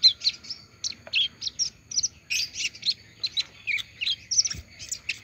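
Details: Just after moulting, an olive-backed sunbird keeps up its song: crisp, high-pitched chirps delivered in short clustered bursts, evenly spaced, thin and sharp throughout.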